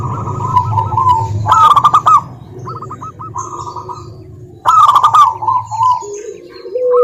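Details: Zebra dove lure song from a local strain, played to rouse lazy doves: alternating loud staccato coo bursts and softer rolled trills, about three notes per second, over a low hum.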